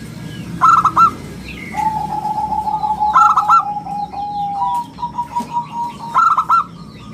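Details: Local zebra dove, an active singer with a round, crystal voice, kept as a lure and tutor bird: clipped triple cooing notes recur about every two and a half seconds, with long steady whistled tones and a low hum between them.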